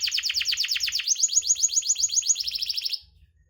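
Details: Canary song meant to trigger singing in birds that stay silent: sweeping chirps, then a higher, clean trill, then a faster tight trill, ending sharply into silence after three seconds.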